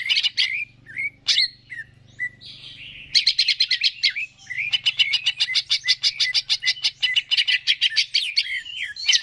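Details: Greater green leafbird in energetic, prolific song, played to stimulate other birds to sing: varied whistled chirps and slurred notes at first, then, from about three seconds on, a long, fast run of sharp, evenly repeated notes with a few sweeping phrases.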